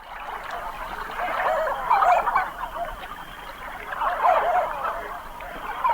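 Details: A Canvasback drake gives its courtship call, two soft, low cooing 'woo' notes about two seconds apart, over a steady rushing wash of water and marsh noise.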